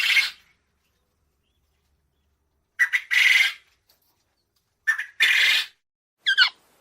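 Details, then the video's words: Quail calling loudly in clean silence: paired phrases of a brief note followed by a longer harsh, buzzy burst, repeated twice, ending with a short stuttered call. "Tunog ng PUGO | Sound of QUAIL"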